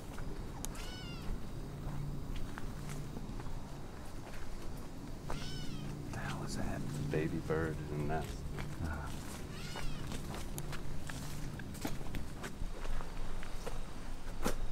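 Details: Possible Gray Catbird (suggested by a viewer) at Lost Lake, Camillus, New York, as a thunderstorm rolls in: a few cat-like, slurred mewing notes spaced several seconds apart, over steady low wind rumble and a person talking.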